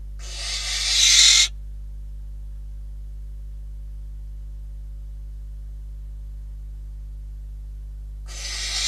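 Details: Barn owls at a nest in Catalonia, seen on a live cam on 12 December 2021 during prey deliveries, a bird first and then a rodent. A harsh, breathy screech swells for over a second, then silence over a low steady hum, then another screech begins.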